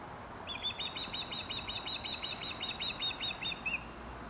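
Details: In Dartmouth, Nova Scotia, an osprey preparing its nest calls a steady series of about eighteen clipped, high whistled chirps over three seconds, ending in one upslurred note, over soft steady background noise.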